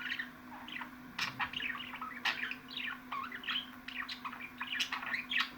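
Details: Budgerigar warbling nonstop, a busy string of rising and falling chirps punctuated by crisp clicks, with a constant low hum underneath.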